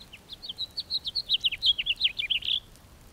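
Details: A steady house finch song of varied high, slurred notes strung together at a brisk pace, ending in a burry, buzzy note.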